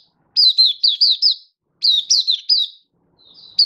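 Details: Oriental white-eye (Mata Puteh) kept as a song bird, happy 'buka' singing, 24 February 2023: two crisp bursts of about five high slurred chirps, a pause, then a faint note and another chirp starting.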